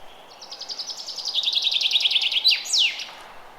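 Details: Early spring forest bird delivering a full song: a long, quickening run of high chirps that gradually descends, finished by a loud, sharply falling double flourish, over faint steady background hiss.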